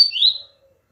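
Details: A single high, slurred whistle from a double-collared seedeater. It starts sharply and slides downward, then fades within half a second, leaving near silence.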